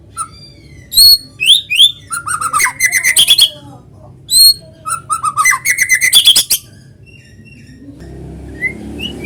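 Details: Natural lure song of a vigorously singing white-rumped shama for prompting other shamas to sing: high whistles leading into fast rattling trills, repeated twice, then soft distant whistles over a low rumble.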